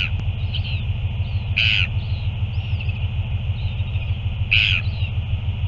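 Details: Northern royal albatross at a feed on 9 February 2024, giving two loud, brief, rasping calls about three seconds apart, with softer squeaky notes between them, over constant low wind rumble and a steady hum.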